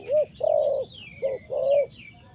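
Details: Decoy spotted dove used for trapping, cooing loudly in two phrases. Each phrase is a short coo followed by a longer, steady coo. Soft, high descending chirps sound in the background.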